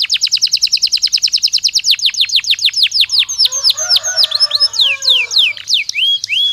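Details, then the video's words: Belgian canary song, played as a training stimulus: rapid series of loud downward-sweeping whistled notes that slow and grow irregular, with softer warbling mixed in toward the end. "Som de estímulo que faz o canário belga responder imediatamente ao treino"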